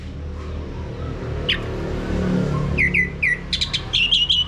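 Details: Male Orange-headed Thrush song played to prompt birds to sing, a single whistle then a run of repeated downslurred whistles and sharp high notes, steady low hum beneath.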